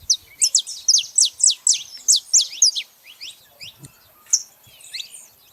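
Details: Free saffron finches in a natural gathering: a fast burst of loud, high, downslurred chirps about four per second, then fading, scattered calls from other birds.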